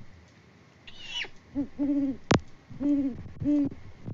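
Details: A mated pair of Great Horned Owls on a Kansas farm in Peabody hoot back and forth in February, the male out of view after bringing prey. Low, steady hoots come in two short bursts, with a sharp click between them.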